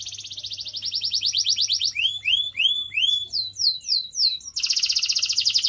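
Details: A canary gives training song for pet birds: a quickening trill, several slow sweeping whistled notes, then a dense high rolling trill, low hum in the background.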